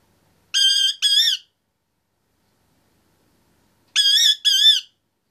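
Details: Caged male Indian ringneck parakeet, 25 months old, chattering: two pairs of clear, harmonic whistled notes, each pair quick and slightly wavering, separated by about three seconds of silence.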